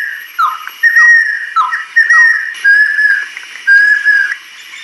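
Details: Song of an adult female banded kingfisher, a woodland kingfisher of Southeast Asian lowland rainforest: a few downslurred whistles, then clear, level whistled notes repeated roughly once a second.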